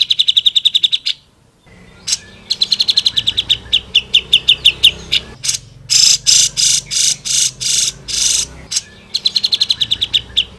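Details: Black-throated laughingthrush song used as training material for cage birds: rapid, bright repeated chirps and trills in bursts, some notes loud and broad, with short pauses between phrases.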